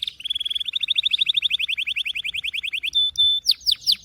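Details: Canary song beginning with a long, fast, even trill of clipped high notes for about three seconds, followed by two steady pure whistles and a run of loud downward-sliding notes.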